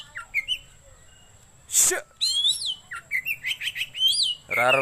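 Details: Kacer song for bird luring, home tutoring or contests: short whistles, a harsh rasping burst, then a quick series of varied upslurred and downslurred whistled notes ending in a buzzy phrase.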